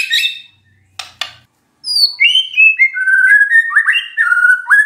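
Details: Magpie-robin song used as a lure to make a silent bird answer: a few dry clicks, then a run of loud, clear whistled notes stepping down and rising again in quick varied phrases.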